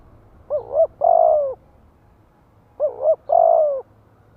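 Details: Lure spotted dove song aimed at wild doves: two phrases, each a brief double coo leading into a sustained rolling coo that dips slightly, separated by about two seconds of near quiet.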